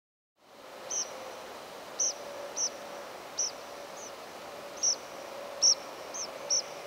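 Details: A group of Tree Pipits in nocturnal migration, late August 2021 at 6:25 am, give thin, high 'tseez' calls, some very buzzy and strongly modulated, others less modulated, in single notes at irregular intervals over a low steady hum.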